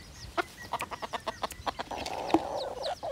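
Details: Hybrid junglefowl, a bantam-type decoy bird from Phon Thong, Roi Et, Thailand, gives about a dozen quick, clipped clucks in just under two seconds, then a sustained, steady mid-pitched crowing note.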